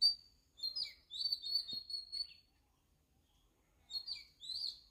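An Oriental magpie-robin sings clear, sustained high whistles with short warbled notes, in two bursts separated by a brief pause; a soft click is heard between.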